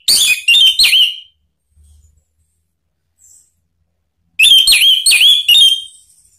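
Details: Orange-headed thrush song used to prompt other birds to sing: a short phrase of warbled whistles, about three seconds of silence, then a longer phrase of wavering, looping whistled notes.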